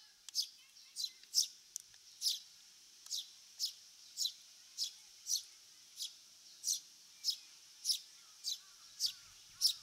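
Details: Eurasian Tree Sparrow, one of Japan's wild birds of farmland, grassland and waterside, gives a steady run of short, bright chirps, about one every half second, with no other sounds.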